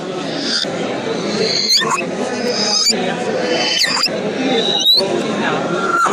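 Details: African grey parrot making brief high whistled notes and quick downward-sweeping squeaks, roughly one burst per second, with a lower whistle near the end, against constant murmuring background noise.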